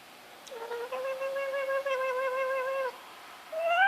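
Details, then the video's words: Pet male black-capped lory, with an overgrown beak and later treated for liver disease, making weird noises: a long, steady, nasal whine over two seconds, then a second, higher note that rises. "black capped lory making weird noises"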